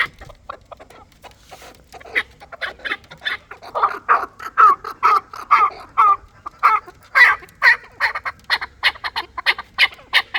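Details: Chukar partridge of the fighting Dulani kind, its call rising from faint clucks into a strong, evenly paced series of harsh chuk notes lasting several seconds.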